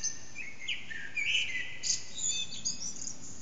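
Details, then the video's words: Eurasian blackbird dawn song near 4:30am from an echoing backyard, HTC Desire recording: a rising swoop opens a few fluty, slurred phrases, followed by faint, high squeaky flourishes. "Blackbird's morning song, part 1"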